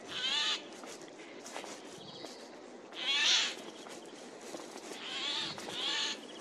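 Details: Eurasian jay in woodland, 15 April 2024, loud calls: four raspy, tearing screeches spaced about two to three seconds apart, the middle one strongest, with soft forest ambience between them.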